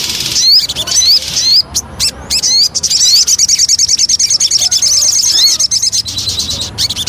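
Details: Javan cochoa lure song, called sogon locally: high upslurred chirps and sharp clicks, then a long rapid even trill of thin notes about twice a second, ending in scattered clicks.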